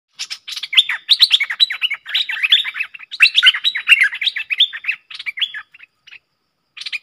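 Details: Cream-vented bulbul lure call for trapping, dated 2 November 2021: a dense, busy stream of short chirpy, bubbling notes that dip and rise, with brief pauses near the end.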